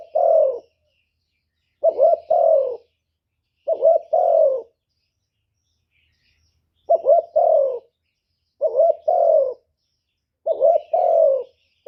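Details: Spotted dove kept as a lure, calling to draw in wild doves: six clean coo phrases. Each has a stuttering double opening and an extended downward-sliding note, with a longer gap in the middle.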